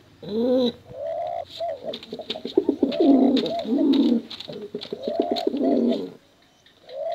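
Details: Male and female pigeon cooing recorded for contests and luring young birds: a clear hooting coo, then a busy stretch of rapid overlapping rolling coos and clicks, ending in a short hoot.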